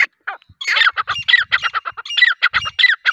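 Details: Grey francolin (teetar) giving loud, grating, squawky notes in a fast, uneven stream over three seconds. Some phrases sound doubled and overlapping, and a few low thuds are heard in the background.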